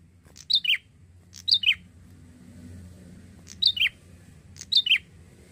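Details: A young male Bar-winged prinia in Indonesia repeats bright two-note chirps that drop in pitch, in two pairs with a longer pause between. A constant low hum runs throughout.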